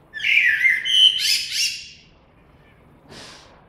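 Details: Blackbird singing a mellow whistled phrase followed by a burst of scratchy high twitter, then a pause with a faint brief sound afterwards.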